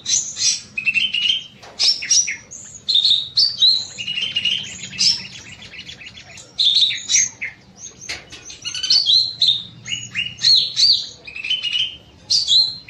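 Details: Long, continuous evening song of a small bulbul (cucak mini) in an aviary: varied whistled notes and rapid warbles, rising and falling, delivered in dense bursts with short pauses throughout.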